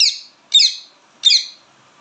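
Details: Indian ringneck parakeet calling loudly, three shrill, grating chirps with strong overtones, evenly spaced with short silences between them.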